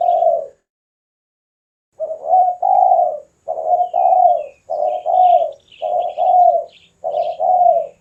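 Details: Spotted dove in full song, used for luring and training birds: one coo, a pause, then five quick paired coo phrases, a short note followed by a drawn-out rolling one; thin high twitters from small birds in the background.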